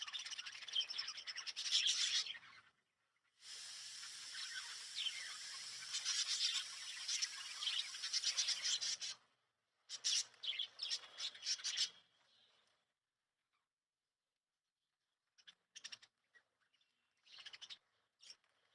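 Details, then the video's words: At sleeping time at home, lovebirds chatter in loud high-pitched bursts of squeaky chirps for about twelve seconds, pausing briefly twice, then fall mostly quiet with only a few scattered short chirps near the end. "Love bird Sleeping Time"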